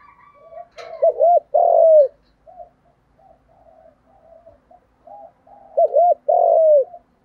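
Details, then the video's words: Male and female spotted doves used to excite birds during training: a loud phrase of a hooked double note and a long falling coo, several seconds of soft low cooing, then the same loud phrase again. "tiếng cu gáy thúc gù, gù đấu chuẩn căng đét"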